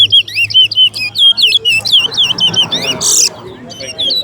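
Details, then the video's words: Towa towa, the chestnut-bellied seed finch, singing in a bird race at Alligator Park. A rapid run of sweet, warbled whistles loops up and down without pause, while a man counts the songs aloud and a short harsh burst of noise breaks in. "TOWA TOWA BIRD RACE"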